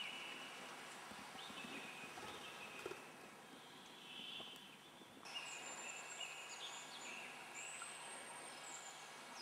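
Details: Hazel grouse at a spring lek in Russia's Yenisei Ridge: thin, very high drawn-out whistles in the second half, over a steady forest hiss, with other birds calling lower in pitch.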